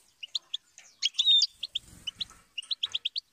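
A goldfinch sings a quick, bright twitter of short high notes, with one drawn-out whistled note near the middle and a few soft low thumps.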